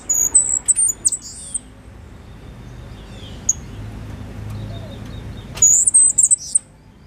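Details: Young Cuban grassquit, five months old and hatched in 2022, giving its loud, clear silva australiano song with a trill acquired from a tutor bird. Two bursts of very high, thin, rapid notes come near the start and again near the end, separated by a lone pip and low rumbling noise.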